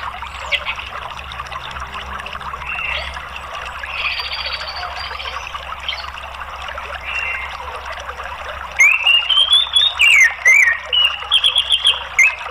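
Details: Orange-headed thrush, used as a lure/therapy recording for caged birds, answering by singing loud, varied whistled phrases, rising and falling in quick bursts during the last few seconds, after a long stretch of steady water-like hiss.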